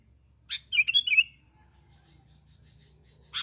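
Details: Lure call of a sooty-headed bulbul summoning others of its kind: one click, then a brief bubbly warble of several notes, followed by near silence and another click at the end.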